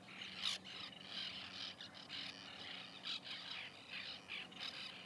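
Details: White-winged terns calling at their nesting colony in 2021: rough, grating notes from many birds, a loud sharp call near the start, then a busy chatter with a faint low hum throughout.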